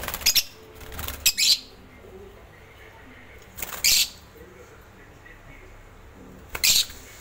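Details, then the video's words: Violet Fischer's lovebirds, kept as pets, giving short harsh high chirps in three separate bursts roughly two to three seconds apart, with quiet room background between them. "Violet Fischer African Love Birds"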